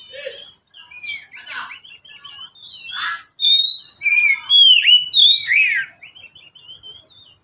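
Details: Pet oriental magpie-robin singing, used as a lure to prompt reluctant magpie-robins to sing: a rich run of varied whistled phrases, sliding and bent notes mixed with short buzzy bursts, rising and falling high, after a brief low note at the start.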